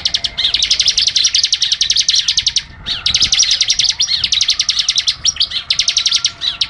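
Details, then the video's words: Dense 'AK47' rapid-fire song of a Bar-winged Prinia (ciblek): almost continuous volleys of crisp, high-pitched ticking notes with only brief breaks between them. "Ciblek AK47 Ngebren Rapat Tembakan Tajam || Burung Liar Auto EMOSI!"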